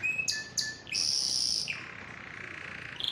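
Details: Canary singing meant to teach a pet canary to sing and prepare it for mating: sharp chips and short whistles, then a bright high trill and a lower rolling trill.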